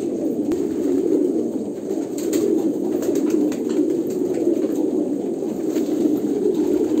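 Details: Kolkata pigeons coo in a thick, continuous chorus of low, bubbling notes. Sporadic clicks and a sharp tap occur near the start.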